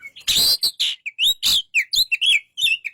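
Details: Rich song of an Oriental magpie-robin: rapid harsh rasping notes alternating with clear, bending whistles and quick trills, delivered densely and without pause.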